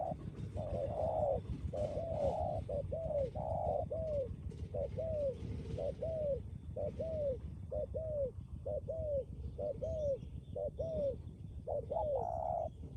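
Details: Spotted dove kept as a decoy, prized for a firm and persistent coo. A long sequence of about sixteen rounded, falling coo notes is evenly paced across thirteen seconds, with a dull rumbling noise beneath and faint clicks.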